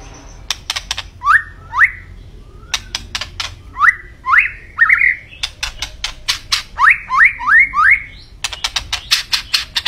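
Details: White-rumped shama (murai batu) song: repeated upslurred whistles mixed with dense sharp clicks and chatter, phrases in groups of two to four, loud and continuous.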